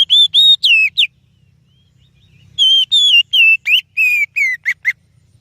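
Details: Oriental magpie-robin singing a lure song for other birds: a run of bright whistled notes, then after a gap a faster series of sweeping and falling whistles ending in short clipped notes.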